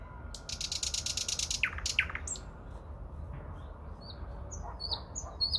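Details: Song of a nightingale in the Moscow region in early May opens with a rapid high rattle, then two steep downward-swooping notes, then faint scattered high chirps.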